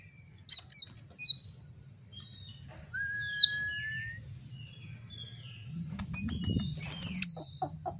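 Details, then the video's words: Oriental magpie-robin song meant to provoke fighting. Sparse high whistles and a long, level whistled note, then a rustling noise and a closing burst of bright notes. A faint hum lies beneath. "pancingan kacer agar tarung"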